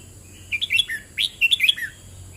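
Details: Red-whiskered bulbul song in 'boen rik' style, two lively phrases of clear whistled chirps that jump up and down in pitch and close with a falling slurred note, separated by a short gap over faint background hiss.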